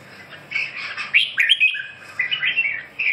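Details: Red-whiskered bulbul singing: a run of bright, warbling whistled phrases with rising and falling slurs, loud bursts near one and a half seconds, then a lower rolling phrase after a short pause.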